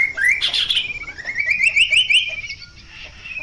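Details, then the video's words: Chestnut-capped babbler, known locally as kaso kaso or tepus gelagah, in a long-duration song variation: bright whistled notes that slide upward, then a quick run of short rising chirps. The song is loud and clear. "burung kasokaso tepus gelagah kidangan Chestnut-capped BabblerTimalia pileata variasi durasi panjang"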